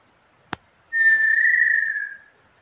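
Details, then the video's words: A brief click, then the inhambu sururina of Brazil, also named inhambu pé roxo, delivers a sustained clear whistle that eases slightly lower and dies away. "Canto da Inhambu Sururina"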